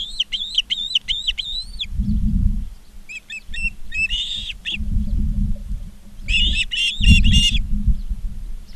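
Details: Charlo, Montana Ospreys on a nest cam, 19 August 2023 at 16:05, give a row of rising-falling whistles, then short clipped chirp runs, with bursts of low rumbling wind or handling noise between them.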